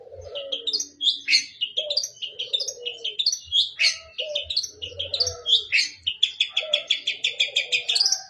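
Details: Varied fill-in song of the long-tailed shrike, mixing harsh buzzy bursts, whistled phrases and a closing run of rapid repeated notes, over intermittent low cooing sounds.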